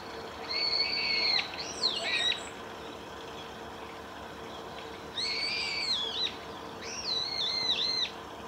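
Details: Female brambling, Saiko Wild Bird Forest Park, 31 March 2018: two bursts of harsh, nasal, wavering calls, each about two seconds long and separated by a quiet gap, over steady background hiss.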